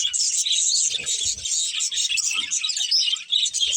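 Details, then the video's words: Budgerigars, a breeding pair of pet love birds, give a dense, continuous stream of high chattering chirps and warbles with almost no pause, with a few faint low thumps beneath. "Cute Budgies Chirping Sounds"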